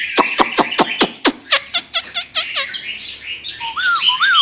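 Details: Newly wild-caught Chinese hwamei recorded close: a row of sharp, evenly spaced clicking notes gradually softens into quick downslurred chips, then high thin whistles and two clear rising-falling whistled notes.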